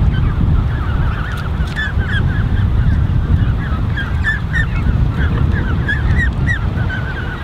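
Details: Thirty-plus Canada goose goslings in a creche, June 2015, peeping constantly. Many brief high chirps rise and fall in quick succession over a heavy low wind-like rumble, with faint clicks above.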